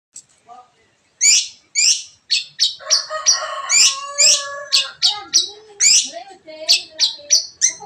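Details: Long-tailed shrike singing: a busy run of sharp, high chirps and squeaky notes, some falling, mixed with lower warbled phrases in the middle.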